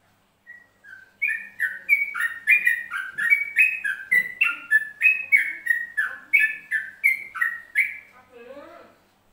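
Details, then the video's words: Yellow-vented bulbul from Central Java singing in the ropelan style: a rapid, continuous run of liquid whistled two-note phrases, each dropping then rising, repeated about three times per second for roughly seven seconds. A softer, lower burbling tail closes the song. "Trucuk Jawa Tengah Ropelan"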